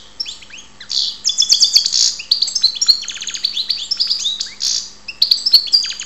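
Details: European goldfinch, called karderina, recorded in Ptolemaida, Greece, singing a continuous rapid twittering song of high, liquid chirps, buzzy trills and sliding whistles. Phrases run almost without a break for six seconds over a faint low hum.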